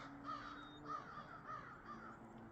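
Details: Crows on a mild, foggy winter morning, off to a late start: four harsh, arched caws spaced roughly half a second apart over a soft hiss.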